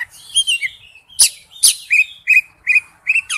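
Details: An Oriental magpie-robin sings a quick run of varied whistled and chirping notes, some sharp and high, others slurred, delivered about every third of a second.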